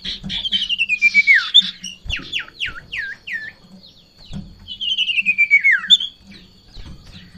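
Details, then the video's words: Over-aroused Sirtu in breeding condition, reacting to a rival or female, pours out long descending whistled slurs and a series of sharp downswept notes, then a second falling phrase. Soft low thumps sit underneath. "Sirtu Ngamuk Narung !! Garuda Birahi Over"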